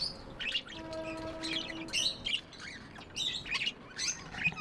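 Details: Tame pet budgies giving bright, scratchy warbled chirps in quick bursts, with steady low electrical hums running in the background.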